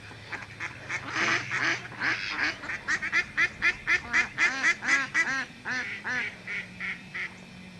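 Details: Ducks by a hotel and golf course on Oahu, Hawaii, in August 1994, coming close in hope of food: a rapid run of nasal, harmonic quacks, about four a second, that swells and then thins out over a low background hum.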